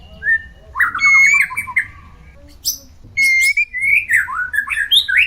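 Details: Caged white-rumped shama in a mating-stimulus recording meant to bring birds into breeding condition; clear whistled notes near two kilohertz with rising slurs, then a louder varied phrase of sweeping, slurred whistles and sharp high notes.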